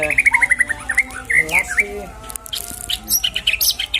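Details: White-rumped shama song used to prompt a shama's return to fighting form: a quick trill of repeated notes and whistles, then busy high twittering over background noise.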